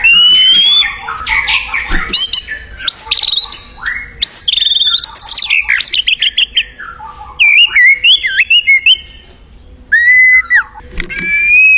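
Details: White-rumped shama singing vigorously in the wild: rich, varied phrases of high whistles and rapid chattering notes, with short gaps and clear slurred whistles near the end.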